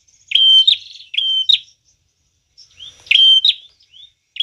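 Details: Prinia singing vigorously, its song used as a lure for bird catching: short level whistles followed by sharp, scratchy chips, given in quick pairs, then a pause before a similar phrase.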